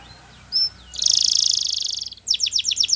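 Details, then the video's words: Canary song for training young canaries: a brief whistle, then a fast buzzy trill held steady at high pitch, followed by a series of rapid descending sweeping notes. "Your Canaries Will Never Stop Singing !! Canary Training Song"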